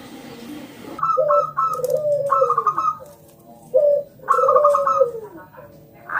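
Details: Local zebra dove singing loudly to prompt other doves to sing; phrases pair short rapid staccato notes with low, long, downward-sliding coos, repeated twice with quiet gaps.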